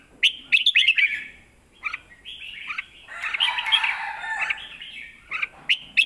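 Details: Caged red-whiskered bulbul singing a 'lak wai' master song used to tutor young birds. Sharp chirps open and close the phrase, with a blurred, rustling warble in the middle.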